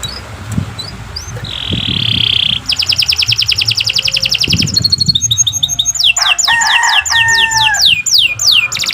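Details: Canary in long, steady song, recorded as a tutor for other songbirds: a soft buzzy roll, then a fast, even trill, a higher ringing tour, and a run of sweeping whistled notes over lower drawn-out tones.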